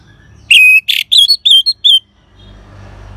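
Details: Orange-headed thrush singing in ngeban style, used to stimulate caged birds to sing; one emphatic phrase of a slurred whistle, a harsh burst and three twisting whistles, followed by soft background rumble.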